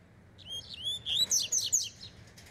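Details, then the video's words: Double-collared seedeater warming up, with a fast, strong delivery: a quick run of high, sharp whistled and slurred notes, each rising and falling steeply, in several loud bursts over about two seconds. "COLEIRO REI NEGRO ESQUENTANDO"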